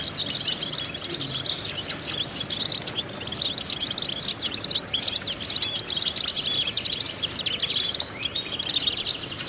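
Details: European goldfinch song used as a vocal exercise to stimulate goldfinches: a dense, unbroken stream of high, tinkling twitters and buzzy trills running throughout, with a faint background hiss.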